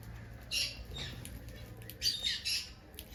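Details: Finches calling with a few short nasal squeaky notes, paired bursts near the start and end, steady low hum behind.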